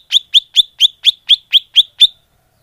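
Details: Greater green leafbird lure call, used to attract birds: a fast series of nine sharp, clean chip notes, each sliding down from high to a bright mid-high tone, evenly spaced about a quarter second apart, then silence.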